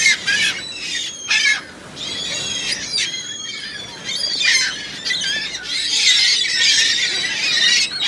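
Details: Many gulls calling together outdoors, harsh squawking cries in overlapping bursts, loud and dense throughout with brief quieter gaps.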